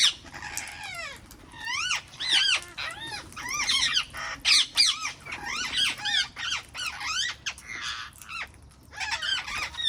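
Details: A flock of wild parrots in a garden chatters nonstop, with dense overlapping arched, whistled, up-and-down squeals and harsher screeches pouring out for ten seconds.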